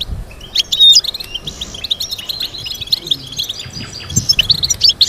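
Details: Captive European goldfinch in a breeding setting, a fast liquid twitter of high chirps and tinkling notes with brief buzzy slurs, steady throughout.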